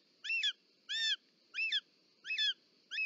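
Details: Short-toed snake eagle at the nest, female delivering a snake, Parc Natural dels Ports, Catalonia, 18 July 2024. Loud, close, harmonic call notes, some with a doubled two-part shape, five in three seconds over a steady hum.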